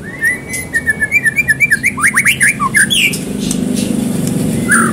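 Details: White-rumped shama song meant to stir another bird to sing: opening whistles give way to a quick run of about a dozen short downslurred notes, then a falling phrase and a softer closing note, with background rumble.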